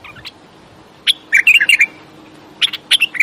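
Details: Bulbul singing a burst of rapid, slurred warbling notes, then a pause and a shorter second burst of sharp chirps near the end.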